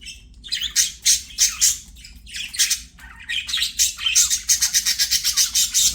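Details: Budgies singing during play deliver clusters of scratchy chirps and buzzy notes, ending in a fast rhythmic run of short repeated chattering pulses, about four per second.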